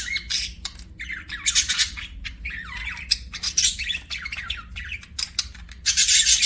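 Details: Budgie sounds: continuous rapid chattering with squeaky, rising and falling chirps and harsher raspy notes, busy and uneven throughout, ending in a loud scratchy burst.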